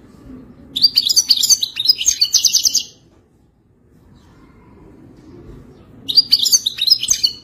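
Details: A European goldfinch in Wadani style sings a two-second burst of fast tinkling twitters, falls silent for about three seconds, then resumes.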